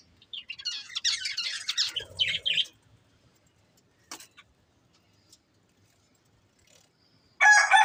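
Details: Budgerigars from a breeding pair give a fast, high, buzzy warble for about two and a half seconds, then near silence broken by a single click, ending in an abrupt loud scratchy burst.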